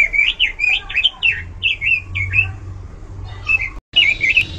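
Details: Pekin robin in loud, varied song. Short warbled whistles come one after another, each rising then dipping, with a brief gap near the end before the phrases resume.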